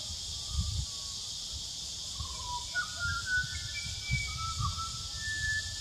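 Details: Pied butcherbird fluting song recorded in New South Wales, Australia: a loose sequence of clear whistled notes, some sliding up or down, spread across the clip over a steady high hiss and low rumbling noise.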